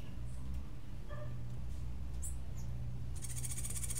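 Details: Cuban grassquit in martillito-style song. Scattered thin high chirps come first, then a fast, high-pitched pulsed trill starts near the end and runs to the close, with a constant low droning hum throughout.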